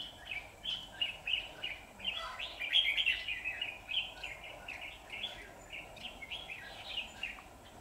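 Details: Red-whiskered bulbul in combative song as a trapping decoy, 23 September 2019, provoking wild rivals: a continuous string of short, clipped warbling phrases, several each second, peaking in a brighter flourish, over low constant noise.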